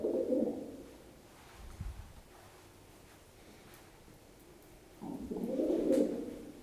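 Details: Pet pigeon indoors cooing while hopping down stairs, coos quickening with faster jumps; a short low warbling coo at the start, a quiet stretch with a soft thump, then a longer throaty coo near the end.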